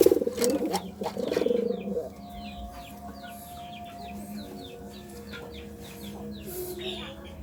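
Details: A pigeon's throaty courting coos fill the first two seconds, then give way to quick, thin chirps of small birds over a steady low hum.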